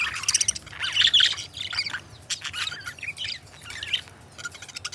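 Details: Pair of pet budgerigar companions warbling: a busy, scratchy chatter of rapid twittering notes and squeaky trills, dense in the first half and then breaking into shorter bursts over a low steady hum.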